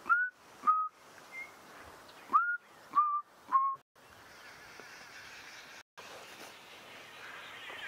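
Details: Chinspot Batis calling at sunrise on 25 November 2016 in a thickly wooded drainage line full of bird activity, giving clear, pure whistled notes, two then three in a slowly descending series, then falling quiet against a soft hiss.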